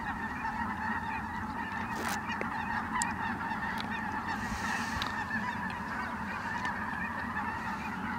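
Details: Ross's geese flying in at Merced National Wildlife Refuge on 22 December 2017 give a continuous roar of squeaky, cackling honks; several sharp clicks and a brief hiss sit over the flock noise.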